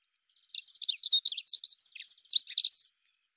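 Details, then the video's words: Prunella modularis delivering one fast, scratchy-sweet warbled phrase of high jumbled notes lasting about two and a half seconds, with silence around it. "Как поет Завирушка лесная Prunella modularis"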